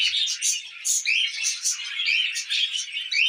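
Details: Several pet budgerigars eating millet give lively, rhythmic chatter, pulses of squeaky warbles and short rising chirps repeating roughly every half second.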